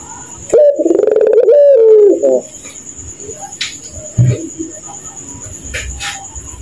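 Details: Ringneck dove of the pelung type cooing at night in its laughing style: a loud, rapidly stuttering low coo lasting about two seconds, sliding gently down, followed by quieter rustles and faint clicks.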